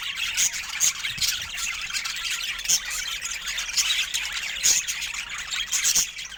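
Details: Budgerigars, popular pet parrots, in lively group chatter: thin squeals and quick chirps layered into a continuous high warble, with louder sharp notes every second or so.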